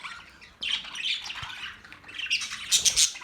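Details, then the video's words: Budgies break into loud raspy chatter after a brief quiet start, warbled scratchy notes ending in harsh high squawks. "Beautiful budgies Birds chirping sounds"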